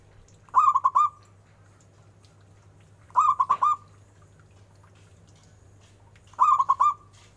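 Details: Local zebra dove prized for a big voice repeats a short cooing phrase three times, roughly every three seconds, each a tight burst of four mellow, hollow notes over a constant low hum.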